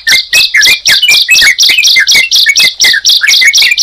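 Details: Sunda pied chat and yellow-vented bulbul brought together, singing: loud, rapid series of sharp high notes with lower slurred whistles, repeated about twice a second throughout, close and clear.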